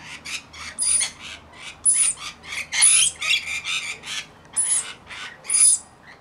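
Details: Mixed flock of about 40 Rainbow Lorikeets tending a single baby: harsh, buzzy screeches in rapid overlapping bursts, roughly two per second, some with thin high whistled overtones, calls uneven in loudness as several birds chatter together.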